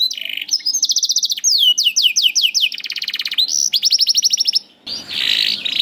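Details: Canary singing as a lesson for juvenile or hesitant birds: rapid trills, descending slurred whistles and fast rattles, ending in a short gap and a noisier buzzy phrase.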